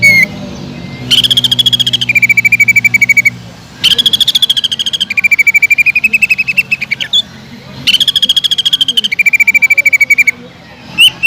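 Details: Greater green leafbird singing hard to draw other leafbirds into song: three long rattling bursts of rapid, evenly spaced notes, each starting higher and dropping to a lower steady trill, with short pauses between.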